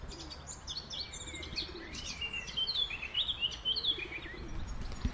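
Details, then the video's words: Eurasian blackcap in a park giving a rapid, rambling warble of high twittering and clear whistled notes that grows fuller toward the end, over a low steady hum and scattered soft chirps. "Kapturka W Parku"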